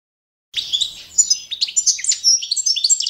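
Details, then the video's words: Balkan goldfinch, Carduelis carduelis balcanica, singing a standard training song from goldfinch song championships: after a brief silence, a dense, fast stream of high twittering, tinkling and buzzy trilled notes continues without pause. "goldfinch song - World Championship"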